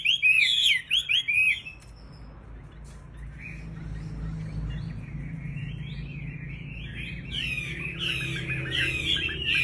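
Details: Sooty-headed bulbul in breeding condition, singing: a burst of loud, bubbly whistled notes in the first second and a half, then softer, scattered warbled phrases over a low background hum.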